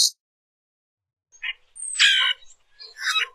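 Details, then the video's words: Common grackle singing and calling: a harsh, grating squeak with a sharp descending whine, preceded by brief raspy notes and followed by a scratchy chatter. "Common Grackle Song! Common Grackle call!"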